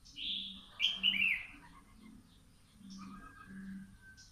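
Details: Morning song of a young caged red-whiskered bulbul out in the sun: a fluty whistled phrase with quick descending slurs, then a soft drawn-out lower whistle, over a repeated low humming pulse.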